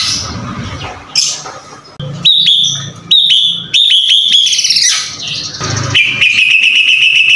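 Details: Energetic white-rumped shama (murai batu) song mixing clear whistled notes, brief pauses, high chirpy flourishes and a closing run of rapid trilled notes.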